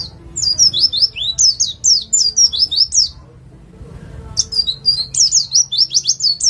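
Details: East Java white-eye in 'nembak' style, played to make other birds sing: two bursts of rapid, high, repeated zigzag chirps separated by a quiet second, over faint low noise.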